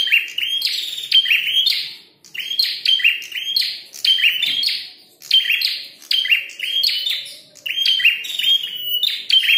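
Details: Combative red-headed prinia sings in dense bursts of shrill, buzzy chirping, phrases tumbling one after another, with a brief lull near the start before the bright, fast notes resume.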